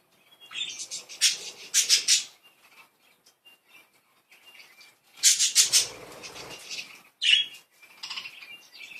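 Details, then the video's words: Pet budgerigars at play, giving two loud bursts of harsh, buzzy chattering separated by a quieter stretch of soft warbles, ending with sharp squeaky chirps. "Happy cute budgies, playful budgies"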